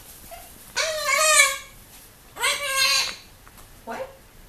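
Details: A pet severe macaw indoors, checking out a visitor at the window. It gives two loud, harsh, harmonic squawks about a second and a half apart, then a short, softer squawk.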